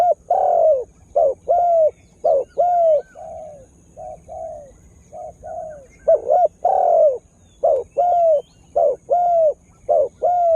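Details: Lure-bird spotted dove calling to draw in wild birds: repeated paired coos, a brief note then a longer downslurred one, with a slight pause midway before the series resumes steadily.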